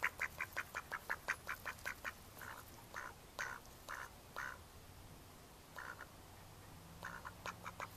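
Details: Mallards in May 2014 giving a rapid run of about ten evenly spaced short quacks, then slower, longer drawn-out quacks spaced about half a second apart, with a low background hum throughout.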